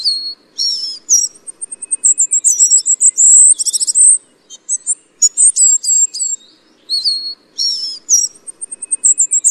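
Tristram's bunting giving thin, very high, sharp notes in quick bursts, some slurred and trilled, repeated throughout against a quiet background.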